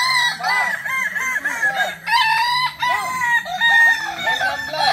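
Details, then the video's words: Kukuak Balenggek roosters at a joint crowing practice mimicking a contest judged on crowing frequency; overlapping loud crows with chains of repeated arched notes fill the whole stretch, several birds calling together. "Ayam kukuak balenggek (akb)"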